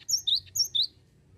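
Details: Short burst from a cinereous tit, a lure recording: two crisp paired phrases, a high thin note then a lower rising whistle, repeated quickly, then quiet.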